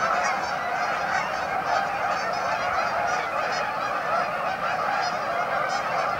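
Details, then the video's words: Canada geese at a staging area on Amber Trails Lake, Winnipeg: a dense, continuous chorus of overlapping honks from many birds, steady in loudness throughout, with no single caller standing out. "Canadian Geese Staging Area - Amber Trails Lake, Winnipeg"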